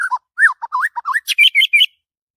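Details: Brief morning phrase from a white-rumped shama in excited mood: varied slurred whistles dipping and rising, ending in a quick series of higher, harsher notes.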